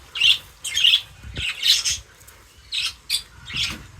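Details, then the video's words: Birds feeding, uttering loud, harsh, rasping squawks in short bursts about every half second, separated by brief pauses. "Crazy Birds Feeding Reaction : Birds Chirping Sounds"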